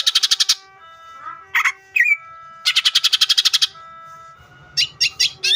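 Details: Lively Greater green leafbird song meant to spur other leafbirds to sing: rapid buzzy rattling trills alternate with short slurred whistles, over faint steady background tones.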